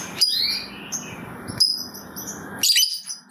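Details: Lovebird ngetik song used to get other lovebirds singing: sharp high tick-squeaks about every 1.4 seconds, each sliding down in pitch, ending with a dense shrill burst, over steady hiss.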